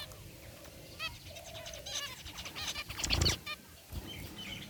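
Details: Group of zebra finches, white and gray varieties, relaxing and chirping in a cage aviary; short nasal, harmonic-rich chirps overlapping from several birds at irregular intervals, with a loud broadband burst midway and low background rumble.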